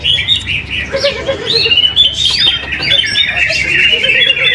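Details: A greater green leafbird in a cage at a weekly practice contest in Mojokerto, which it won. It delivers lively, busy twittering with rising whistled phrases, almost without a break, while men talk and rival birds sing nearby.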